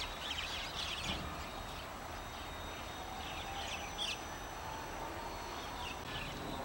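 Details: White-cheeked starling giving scattered short, scratchy high calls in small bursts, several over a few seconds, partly buried under loud, constant rushing noise.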